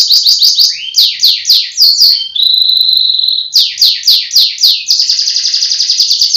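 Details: Loud singing canary kept in Central Java, Indonesia: quick series of high descending slurred notes, a sustained level whistled trill, more rapid falling sweeps, and a final dense rolling trill.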